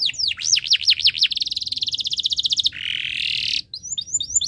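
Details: Canary in breeding condition singing to get other birds to join in: looping swooping whistles, then a fast even trill, a harsh buzzy phrase, and short repeated chirps at the close.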